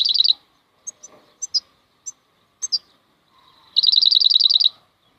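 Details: European goldfinch (maknine) giving khalwi-style song: a short buzzy trill opens, then sparse high chirps, then a rapid run of about a dozen evenly repeated liquid notes lasting about a second.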